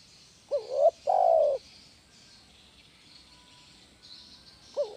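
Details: Gacor "kuk 1" song of a spotted dove for bird-training therapy: a two-part phrase of a short hoot swelling into a coo and a long, even coo. After a long quiet gap, the next phrase begins. A faint high hiss runs throughout.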